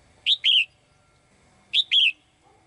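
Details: Two identical high, bright double chirps, about one and a half seconds apart, from a female bird singing in a cage to attract the male.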